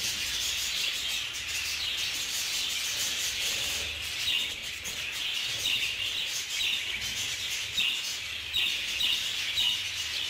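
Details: Budgerigars kept together in a group aviary, clashing and fighting, give dense, continuous warbling chatter of high chirps and squeaky notes that overlap without pause for ten seconds, with no other clear sounds.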